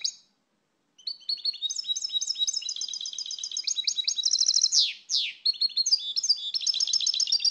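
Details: European goldfinch, a small bird common across Europe, singing a rapid run of bright twittering, tinkling notes high in pitch, after a short opening note and a pause, with a few descending slurred buzzes near the end.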